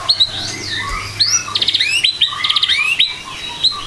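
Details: White-rumped shama singing in the morning, with high, thin whistles that rise and fall, mixed with fast buzzy trills and short chips in a varied, quick-moving phrase.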